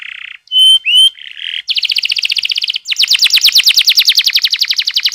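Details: Canary singing as a lure for young birds: a short buzzy note, two clear rising whistles, another buzz, then a long run of rapid repeated notes that speeds into a dense, higher rolling trill.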